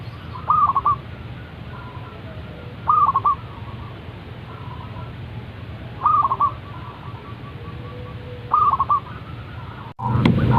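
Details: Zebra dove calling every morning: four phrases spaced two to three seconds apart, each a lifted coo tumbling into short rapid notes, over hiss, ending in a loud noise burst.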